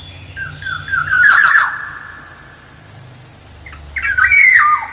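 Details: Lure recording of an actively singing black-naped oriole: a jumbled run of fluty whistles merging into a harsh squawk, a quiet gap, then another squawk with a falling whistled tail; low background hum.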